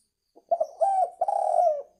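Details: Spotted dove call played to lure birds: stuttering short notes build into a long husky coo, then a second, longer coo that trails downward, with another coo beginning.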